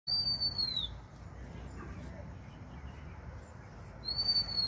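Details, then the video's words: Bird giving a thin, pure whistled note that rises slightly and then slides down, lasting under a second. It is heard at the start and again near the end over a steady low rumble of background noise. "suara burung kesepian"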